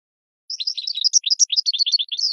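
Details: Goldfinch song played for training cage birds: after a brief silence, a fast, unbroken run of bright twittering and tinkling notes, high-pitched and jumbled, with quick chirps following one another for nearly two seconds, no other sounds.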